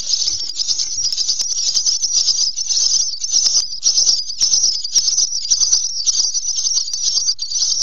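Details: Three lively common starling nestlings in a nest box, 10:00 on 26 May 2017, keep up a steady, harsh, wheezy hissing chorus, high-pitched and almost unbroken, with scattered soft clicks and knocks.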